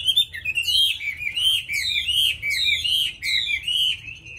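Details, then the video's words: Hwamei kept in a cage, praised for a pure forest voice and eager, nonstop singing: rich clear whistles in a run of rising and falling swoops, each phrase repeated several times in quick succession with bright overtones. "họa mi thuần giọng rừng hay cực mau mỏ hót suốt móc ra là hót"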